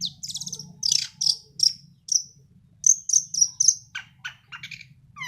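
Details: Young long-tailed shrike, still moulting and a prospective contest bird, sings in 'sembur' style: rapid bursts of high whistled and chattering notes, some slurred downward, with varied phrases over a steady low hum.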